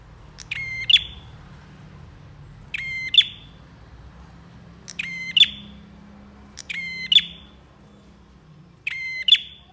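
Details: Bar-winged prinia in full song for a masteran recording: five evenly spaced phrases, roughly every two seconds, each a grating rattle of rapid ticks ending in a sharp ringing note; soft low hum behind.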